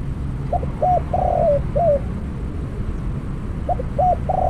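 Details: Decoy spotted dove in a trapping setup, at its first catch, utters a coo phrase of short notes, a long rolled coo and a sliding lower note, then starts the next phrase after a pause. Constant low hum.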